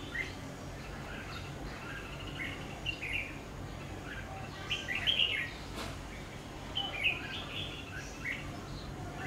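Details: Red-whiskered bulbul at a trapping site: short chirpy, slightly buzzy phrases repeated irregularly, louder bursts near the middle and end, over steady low rumbling background noise and one sharp click.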